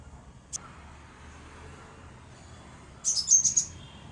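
Crimson sunbird giving one thin, very high chip, then after a pause a quick burst of four or five sharp, high tsit notes. The background is quiet.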